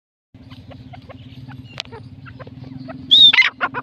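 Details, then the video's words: Francolin gives a loud, harsh, grating burst of three or four rasping notes at the end, after a low steady hum and faint clicks. "Franklin teetar voice"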